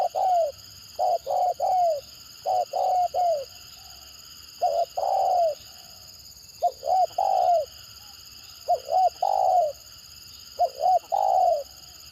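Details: Spotted dove, the 'gagap' stutterer said to get strong answers from other birds; repeated bursts of two or three short choppy coos ending in a longer falling note, about six phrases, with a high constant whine in the background.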